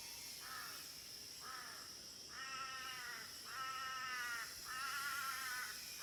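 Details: Crow calling in nature at Phu Foi Lom, Nong Saeng District, Udon Thani, Thailand: harsh, nasal caws, about five in six seconds, growing longer and louder, over a steady high hiss of cicadas.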